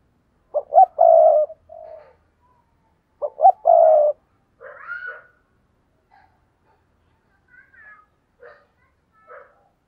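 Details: Lure-call cooing from a decoy spotted dove: two hoot-and-long-coo phrases in the first four seconds, then higher chirps and faint scattered notes from other birds.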